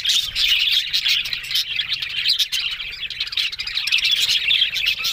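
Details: Several budgerigars talking on October 1 produce a loud, continuous twittering warble with fine whistled squeaks layered over scratchy chirping.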